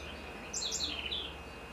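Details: Loud three-syllable call of the great kiskadee, called bem-te-vi in Florianópolis, Santa Catarina, Brazil: shrill, buzzy notes descending in steps, lasting under a second, against a quiet steady hum.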